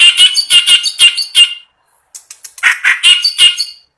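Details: Clamorous reed warbler singing vigorously, kept by an owner, a bird described as singing day and night: harsh, loud chattering notes repeated in quick rasping bursts, a short pause, then the grating phrases resume.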